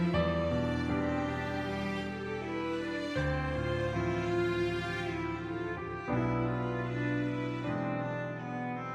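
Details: Slow, mournful bowed-string music, violin and cello, playing sustained notes with no animal voices.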